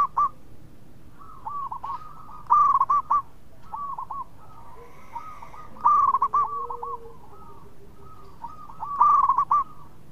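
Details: Local zebra dove singing actively in a melodious voice, said to invite other birds to sound off. Loud clipped coo bursts return roughly every three seconds, with fainter rolling phrases between them and a quiet hum underneath.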